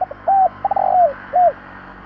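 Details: Spotted dove cooing phrase played to stimulate decoy doves: a short note, then a slurred, run-together double coo and a final falling coo, all low and mellow, over a faint steady hum.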